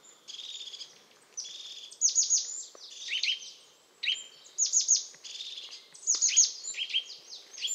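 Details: European crested tit in full song, a continuous stream of high, sharp notes and rapid downward-sweeping trills in several bursts, interspersed with thin higher tones and a little faint background noise.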